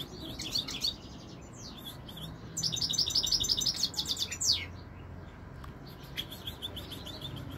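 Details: European goldfinch, called royal goldfinch, singing in 2021: bursts of rapid, high tinkling twitters and buzzy trills, loudest between two and five seconds, with a quieter twittering phrase near the end over a low background hum.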